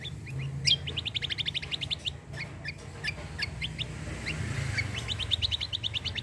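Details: Cucak kombo in vigorous burst song, played to provoke other birds to sing: repeated rapid trains of short high chirps with brief gaps, over low background rumble.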